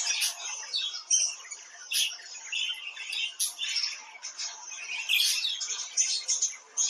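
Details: Budgerigar chatter: busy mix of high chirps, short squawks and clicks delivered in quick irregular bursts.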